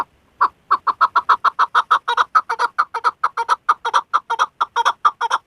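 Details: A female Chukar partridge (Alectoris chukar) gives a fast, steady run of hoarse, mid-pitched chuck notes, about four to five a second, with nothing else heard.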